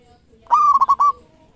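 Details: A single loud phrase from local zebra doves, one of thirteen birds: a smooth held coo, three quick clipped pulses, then a final sustained note, with a faint softer dove coo beneath.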